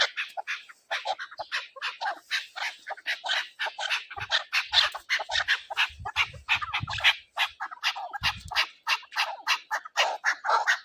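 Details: Chukar partridges calling in a hunting setting, a dense, continuous train of harsh chattering notes, several birds overlapping in a rapid rhythmic chorus with faint low thumps underneath.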